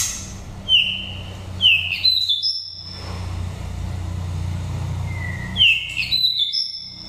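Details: Oriental magpie-robin from Dak Lak, Vietnam, wild-type voice for rousing or trapping birds: short sharp whistled notes rising into sustained high clear tones, repeated in three bursts with pauses, low engine-like hum beneath.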